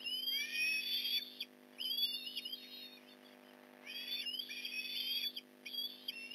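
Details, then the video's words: Osprey during a fish delivery at the Port Lincoln nest, November 15, 2019, 8:24am: strained, whining high squeals in two clusters, each note rising and wavering, with a lull in the middle. "Fish delivery, Nov. 15, 2019 - Port Lincoln Osprey nest"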